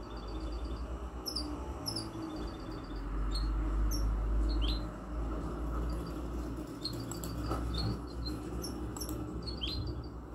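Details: Mixto, a goldfinch x canary hybrid bird, sings a lively series of high chirps, rapid dotted trills and upswept whistles, delivered in quick bursts with short gaps, over continuous low-pitched hum and rumbling.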